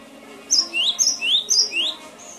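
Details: Cinereous tit, known locally as gelatik batu, singing a training recording for cage birds: three quick paired notes, each a high whistle followed by a lower rising slurred note, evenly spaced.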